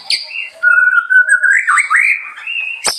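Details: Sustained, clear whistling from a murai that gently climbs and wavers in pitch, framed by two sharp clicks.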